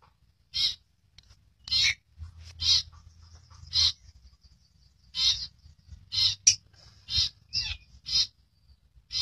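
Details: Rare long-tailed shrike, an albino with red eyes, repeating harsh, grating chatters at irregular intervals, roughly ten bursts over nine seconds, with a steady low hum in the background.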